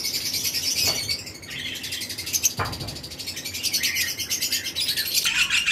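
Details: A flock of paired lovebirds, various mutations, chirps constantly in a flight colony in breeding season; the shrill, overlapping notes form a steady bright chatter with occasional low knocks.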